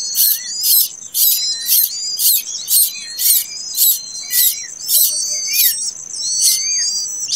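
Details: Plaintive cuckoo chick, hatched late, calling for food with loud raspy noisy bursts at a steady beat of roughly two per second, over a continuous high whine and short falling chirps.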